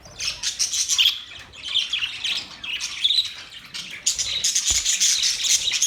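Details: Happy budgerigars chatter nonstop with bright, high twittering chirps and short squawks. Busy bursts recur about once a second, and a brief soft thump comes near the end.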